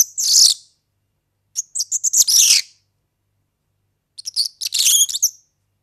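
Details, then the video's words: High, fizzing jingle from a European serin, called organeli, used as tutoring song for young birds: three bursts of fast crackling, glassy notes with short pauses between them. "ΦΩΝΕΣ ΑΠΟ ΟΡΓΑΝΕΛΙ EYROPEAN SERIN"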